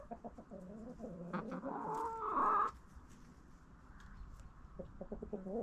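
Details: Backyard chickens feeding on a jack-o'-lantern pumpkin in fall: soft low clucks build to a drawn-out, nasal, rising squawk lasting about a second, then quieter murmuring clucks with steady outdoor background noise.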